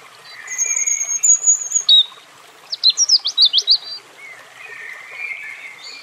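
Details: European robin: a long, very high thin whistle, then a quick cluster of sharp zigzag notes, with softer warbling in the background.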